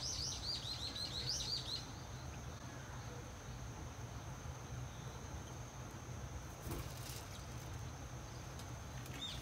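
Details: Swallow nestlings, a second brood of six, six days old, begging while parents bring food to their nest at a rural house doorway; about two seconds of quick, shrill stacked cheeps, then only a steady high whine, low hum and a brief rustle.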